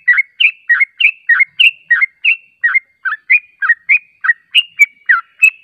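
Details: Yellow-vented bulbul song played as a lure to provoke replies, a steady run of liquid, bubbly two-part notes repeated roughly twice a second with no other sounds.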